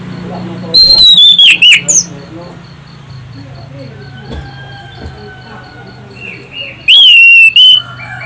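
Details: Orange-headed thrush, loud shrill whistling used as a lure recording for other birds; two short bursts of descending whistles and fast looped notes, separated by several seconds of faint background noise and a low hum.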